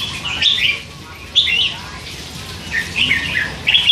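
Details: Hand-fed young red-whiskered bulbul, three months old, chattering all day; short warbled, slurred phrases in bursts, a clear pause between the first two groups and a final brisk pair of notes.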